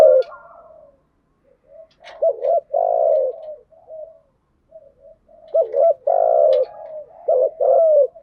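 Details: Spotted dove lure recording of male and female birds, cooing in the 'thúc gù' and 'gáy gọi' styles to stimulate caged doves: low mellow coos grouped into two phrases, with short soft notes in between and a brief pause.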